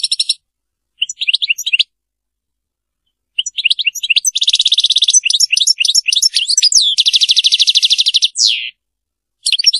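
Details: Goldfinch delivering bursts of twittering song separated by silences, the middle section a continuous jumble of quick chirps and buzzy trills, then a falling slur and a final short burst.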